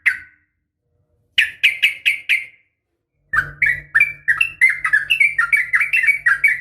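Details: Female sooty-headed bulbul uttering an uplik tarung (fighting) call to draw males into answering. A few spaced, sharp chirps lead into a quick, tumbling run of varied notes over a faint low hum.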